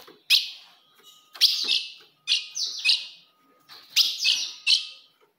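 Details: Female ultramarine grosbeak calls used to rile a male: sharp chips and short slurred phrases in loose clusters, with a faint steady hum underneath.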